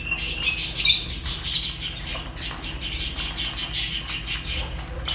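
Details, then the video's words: Continuous high, twittering chirps from a group of Fischer's lovebirds, pulsing rapidly with little pause, several birds overlapping, faint low hum beneath. "African lovebirds chirps sounds | تغاريد فيشر"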